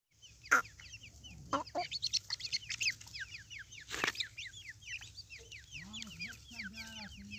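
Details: Grey francolin pair (Dakhni teetar) with two-month-old chicks. Many rapid, high, down-slurred chirps overlap in busy bursts, with a sharp click-like sound, and a low wavering hum toward the end.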